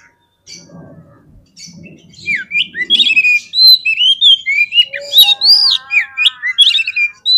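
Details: Oriental magpie-robin song used to provoke fighting birds: low rustling sounds at first, then loud rich whistles, rising slurs and scratchy notes building into a busy, continuous phrase.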